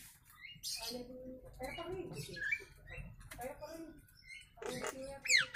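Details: Nias hill myna, natural voice recorded as a training master for other birds: mixed harmonic chattering notes, short rising whistles and a sharp squeaky burst at the end, with a low background hum.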